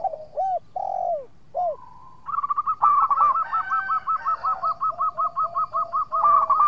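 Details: Local zebra dove singing actively, a song meant to lure rival birds into answering: a few arched, drawn-out coos, then a fast run of clipped, bouncing notes repeated at an even pace for about four seconds.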